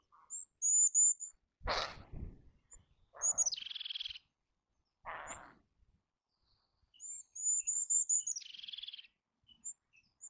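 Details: Eurasian jay: two loud, harsh, raspy screeches stand out, set between high thin whistles that drop into buzzy, rattling trills, a pattern heard twice.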